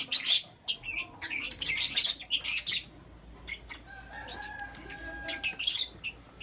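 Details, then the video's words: Lovebirds, a green Personata and a yellow pastel pied, chirping in the morning: bursts of sharp, high, shrill chirps in rapid clusters, with quieter gaps and a faint lower whistled tone between bursts. "Lovebird Chirping Sounds - Green Personata & Yellow Pastel Pied"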